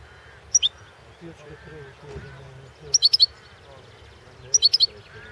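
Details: Balkan goldfinch (Carduelis carduelis balcanica) entered in a 2016 internet song competition run by a Serbian breeders' association; three brief clusters of sharp, high tweeting notes separated by pauses, with soft low rumbling underneath.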